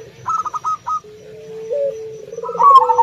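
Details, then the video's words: Local zebra dove (perkutut) cooing to call in rivals, with short staccato trilled bursts repeated in quick series, followed by a long steady lower coo from another dove (puter) and more rippling trills. "Panggilan suara perkutut TERDAHSYAT mampu mengundang lawan"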